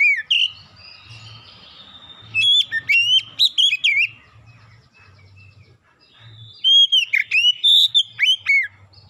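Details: Oriental magpie-robin (kacer) lure song for prompting other birds to sing: loud bursts of rich whistled phrases with rising and falling notes and sharp upslurs, separated by quieter gaps, over a faint low hum.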